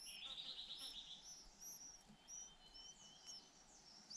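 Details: Two hungry white-eye nestlings being fed in turn by both parents. A buzzy trill opens, followed by scattered thin, high chirps over a soft background hiss.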